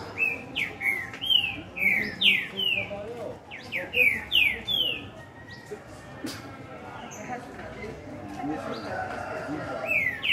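A green-winged saltator sings bursts of rich, downslurred whistled notes, several per phrase, in two quick runs and then again near the end. A faint background murmur is also present.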